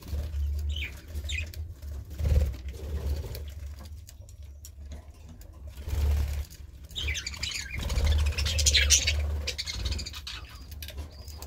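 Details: Budgerigar chatter arrives in separate bouts of scratchy chirps and squeaks, busiest in the second half, over a steady low background rumble.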